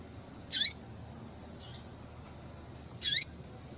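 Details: Female double-collared seedeater calls, used to excite males. Two short, high, squeaky notes with down-slurred endings, roughly two and a half seconds apart, plus a faint softer chirp between them over quiet hiss.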